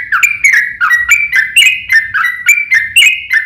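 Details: Yellow-vented bulbul fighting song, used to make other bulbuls answer: a lively series of bubbly two-part notes, each sliding down, about three per second.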